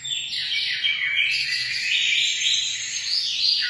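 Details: Emprit, a munia, giving continuous high twittering song: dense chirped notes and trilled phrases that rise and dip, barely pausing, over a faint low hum in the background.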